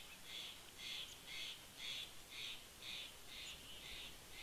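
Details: A Steller's jay visiting a bald eagle nest at Big Bear Lake, California, in September gives a quick run of about nine harsh, raspy notes, roughly two per second, over soft hiss.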